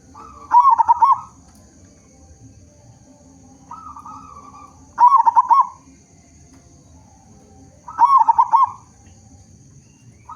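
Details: Zebra dove of local stock with a loud voice, used to draw other zebra doves into song, repeats a bubbling, stuttering coo phrase three times at intervals of about three and a half seconds, with soft coos between.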